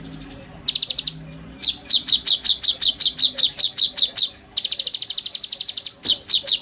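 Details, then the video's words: Oriental magpie-robin singing, a lively song meant as a master recording for training young birds: fast rattling trills near high pitch alternate with series of sharp repeated chirps, about two to three per second, over a quiet background. "PANCINGAN KONIN GACOR FULL NEMBAK ISIAN TONJOLAN MEWAH, COCOK BUAT MASTERAN KOLIBRI NINJA BAHAN"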